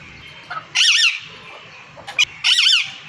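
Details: Male and female parrots calling: two long, harsh, wavering squawks with a few short faint notes between them.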